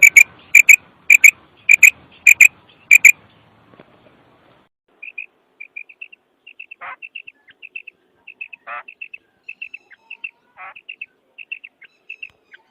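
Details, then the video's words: Kirk call of a female common quail: six loud sharp notes repeated about every half second, then a long run of much softer, quieter paired notes with brief lower bursts among them. "Female quail voice|batairi ki awaz | kirk |مادہ بٹیر کی آواز|بٹیری کی کرک"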